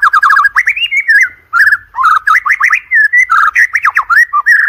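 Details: Murai batu, the white-rumped shama, singing a lure song for contest training: dense, unbroken medley of fast whistles, sharp upslurs and rapid trills that shift pitch constantly with barely a pause.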